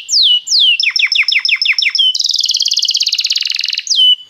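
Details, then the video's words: Belgian canary singing to warm up a canary: falling whistles, a quick stuttered series of doubled notes, a long fast buzzy trill, then a closing falling whistle. "canário belga muito lindo cantando, aqueça seu canário imediatamente"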